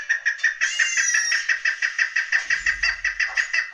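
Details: Chukar partridge, with a hunting chukar, a young chukar and a female chukar all named: a fast run of short, harsh, clipped notes, about three a second, steady and insistent, with a brief higher whistled overtone near the start and a low rumble late on.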